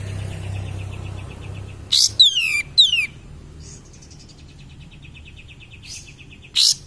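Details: Cream-vented bulbul singing as a lure to stir other birds: a pair of bright falling whistles, then quiet stretches with soft repeated ticking notes and a later burst of sharp high notes.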